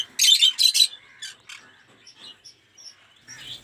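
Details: Two loud, grating squawks from aviary lovebirds, kept as a collection of mutations such as Cinemon Opaline and Off Pallid, are followed by softer scattered chirps and a final harsh note.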